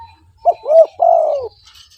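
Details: Spotted dove (tekukur) in vigorous voice, played to attract other doves: a short soft note, then a rounded coo and a longer drawn-out falling coo, clear and mellow, with faint distant chirping behind.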